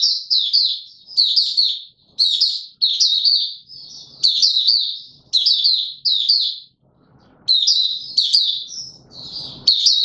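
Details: Buka sing, the opening song of a caged white-eye pushed into form, 31 December 2021: lively high warbled phrases tumbling in quick succession over ten seconds, with a couple of short silent breaks.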